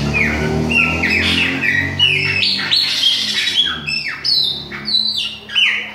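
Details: Bahia-type Chopi blackbird in autumn, with a young bird: stepped whistled notes dropping and rising in quick series, squawky accents, with a low humming background.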